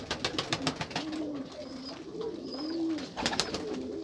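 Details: Low, soft pigeon coos rise and fall in rolling phrases roughly once a second, accompanied by light clicking and tapping sounds.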